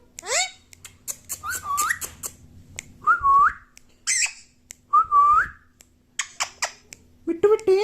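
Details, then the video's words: Indoor pet parrot that says "Mummy Papa" gives a series of short upward-curling whistles separated by pauses, with scattered squeaks and clicks, and a lower tonal phrase at the end. "Mummy Papa bolne wala parrot"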